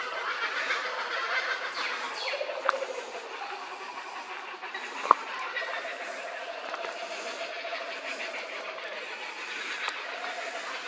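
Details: Kookaburras at Cilento Park laugh together in a dense, harsh cackling chorus that carries on without pause.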